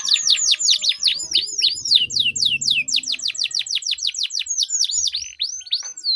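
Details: Duelling canaries with sweet long rolling song intended to get stalled canaries singing: steady run of loud downswept whistled notes, about four per second, with faint low murmuring underneath.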